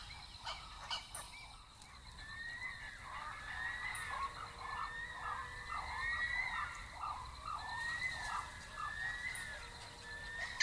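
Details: Blue-winged kookaburras (Dacelo leachii) in Kakadu, far northern Australia, give the chorus that begins and ends each day, harsh, cackling, repeated rising rasping phrases every second or so, confirming territory ownership; a pair nesting in an old gum tree.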